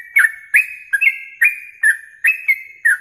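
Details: Yellow-vented bulbul masteran for contest training, morning and night: fast chains of sharp-onset whistled notes that step up and down, about seven in three seconds, lively and steady.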